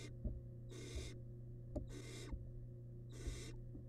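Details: Nestling barn owl devouring rabbit remains in a wild nest box gives three harsh, drawn-out hisses about one second long, spaced roughly a second apart, with occasional taps and a constant low hum.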